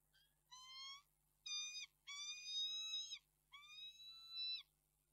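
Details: Wailing peregrine falcon in Reda, Poland, on 11 March 2022, uttering four nasal, tonal wails of about half a second to a second each, separated by brief pauses, with a quiet steady hum beneath.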